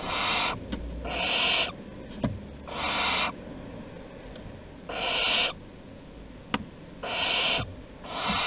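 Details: Barn owls at Théding, 15 August 2020. Chicks beg as prey is delivered at the nest entrance with a run of rasping, hissy screeches, each under a second long. Sharp knocks and scuffling sounds fall between the screeches.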